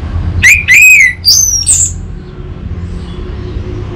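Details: Single phrase of orange-headed thrush song used to prompt untrained birds to sing: rising, slurred whistles climbing to thin high notes, then quiet.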